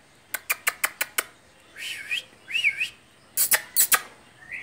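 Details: Trained pet budgerigar that has learned to say salaam, lovely, love you, ammi and mitthu beta, shy when the camera comes close. A burst of six sharp clicks comes first, then two warbled, wavering speech-like phrases, then more loud clicks and a short chirp.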